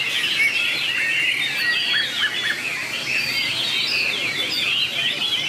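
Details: White-rumped shama in competitive contest singing, from a 2019 compilation: dense, continuous high warbling with rapid twittering and whistled phrases that overlap without pause, over a steady hiss of background noise.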